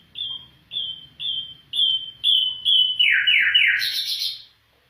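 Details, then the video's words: Afghan bulbul giving a run of short, clear whistled notes about twice a second, building in strength, then ending in a loud, harsh descending buzzy burst. "Afghan bulbul bird voice افغانی بلبل کا آواز"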